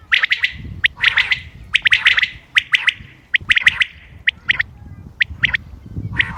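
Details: Common quail, 28 May 2025, sounds for hunting: dense bursts of sharp, bright notes in twos and threes, overlapping calls early on, thinning out toward the end.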